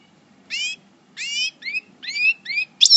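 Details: Goldfinch of the parva subspecies, in moult, at El Bordj: six brief, bright, harmonic notes, several rising or slurred, spaced irregularly over three seconds against a quiet background.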